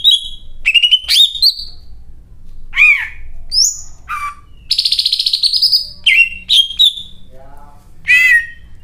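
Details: Greater green leafbird in loud, varied song including cililin phrases: bright whistled notes, fast chattering trills and a buzzy rattle, with phrases borrowed from other birds, delivered in quick separate bursts.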